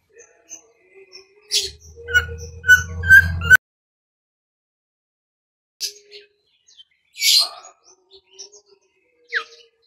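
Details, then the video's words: Bimoli song recorded as a lure for training other birds: short, high chirps and sharp notes in scattered bursts, with a brief low rumble of handling noise early on. "SIULAN BIMOLI"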